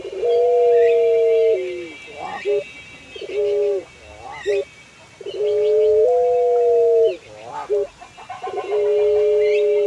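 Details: Kept puter pelung collared dove, an ornamental breed prized for its long, melodious song, calling steadily: long level hummed coos interspersed with brief wavering notes, repeated several times, with a thin high ringing tone in the background.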